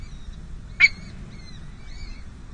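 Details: Peregrine falcon at a San José City Hall nest, 5 May 2022, during a difficult first feeding of two young chicks: thin, arched high peeps repeated softly, broken by one sharp, harsh squawk, over low steady background rumble.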